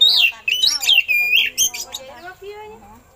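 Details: Oriental magpie-robin song containing eagle-call imitations, used to teach other birds: a loud, swooping series of slurred whistles and a harsh squeak, fading into soft lower warbles.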